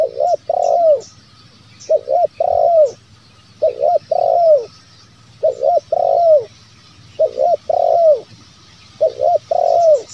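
A spotted dove repeats soft, mellow coos in twos and threes, each phrase ending in a longer rolling note, about every two seconds.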